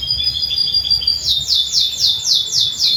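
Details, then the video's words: Canary song for training young birds: a thin high steady whistle, then a regular series of fast buzzy falling notes repeated four times a second. "Pancingan Kenari Paud Belajar Bunyi"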